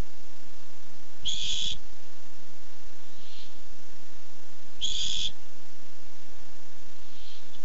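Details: A barn owl seeking food, filmed on a webcam on 8-7-15, gives two loud rasping hisses about three and a half seconds apart, each followed by a softer, distant-sounding echoing hiss, over a constant low hum.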